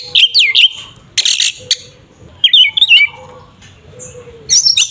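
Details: Oriental magpie-robin in 'tarung ngeplong' fighting song, used to provoke rival birds: loud, high whistled phrases with sharp rising and falling sweeps, interspersed with harsh buzzy bursts and short pauses.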